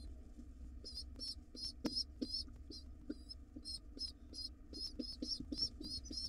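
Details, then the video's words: Pigeon nestlings, wild, being fed by their father in a nest box: quick doubled high-pitched squeaks in irregular runs, with soft ticking and a low background hum. "Crazy hungry and cute pigeon nestlings get fed by their Dad."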